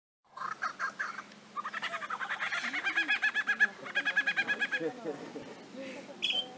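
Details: Lyrebird mimicking a human voice, a chainsaw and other sounds: a brief chattering start, then a fast run of loud, evenly pulsed notes, about three per second, ending in scattered twittering notes and a high whistle.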